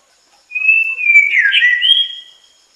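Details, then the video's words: White-rumped shama, also called long-tailed magpie-robin, singing one loud clear whistled phrase lasting about two seconds, a steady whistle that wavers and dips, then rises into a higher note. "白腰鵲鴝/White-rumped Shama(Kittacincla Malabarica)singing"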